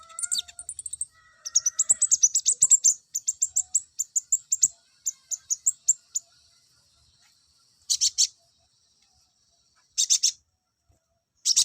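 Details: Olive-backed sunbird song played to bring males into breeding condition: high, rapid chirping trills in quick bursts over the first six seconds, faint thin whistled tones beneath, then three short sharp chip clusters after pauses.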